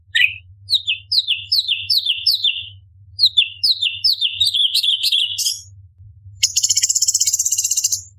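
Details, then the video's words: Orange-bellied leafbird, recorded as a tutor for competition birds, gives a rapid run of repeated downslurred chirps, about three per second, speeding into a warbled jumble. After a pause, a high rattling trill. Constant low hum underneath. "Cucak Cungkok Istimewa ~Tembakan Istimewa Pedas - Burung Masteran Lomba - Orange Bellied Leafbird"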